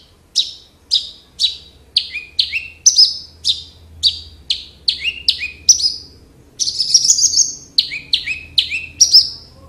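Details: Captive Horsfield's (Javan) bush lark singing actively: a brisk series of high, sharply down-slurred chirps about twice a second, with a brief scratchy burst midway and a faint low hum behind.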